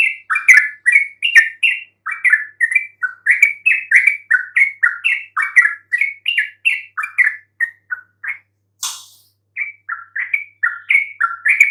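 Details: Yellow-vented bulbul song played to lure silent bulbuls into answering: a long, lively run of short bubbly chirped notes, rising and falling, about two per second, with one brief burst of noise near the end.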